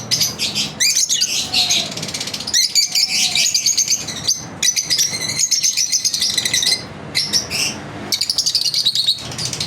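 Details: Lovebirds kept as pets during their daily routine, a dense chatter of high, rapid chirps and buzzy trills in bursts separated by brief pauses, with a faint low hum from the room.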